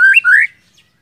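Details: White-rumped shama (murai batu) used to trigger other shamas: two brief loud rising whistled notes, the second a longer upward slur.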